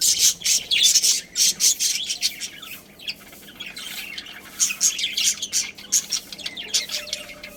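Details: Pet budgerigar colony with a breeding pair chirping: dense bursts of high, scratchy squawks and rapid twitters in waves, a quieter chattering stretch in the middle, then more harsh chirps, several birds calling at once.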